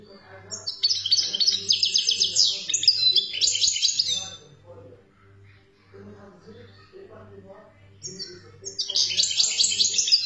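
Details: European goldfinch, a wild bird from Algeria, sings fast tinkling twitters and buzzy trills in two long bursts, pausing midway while low voices and a steady pulsing hum continue underneath.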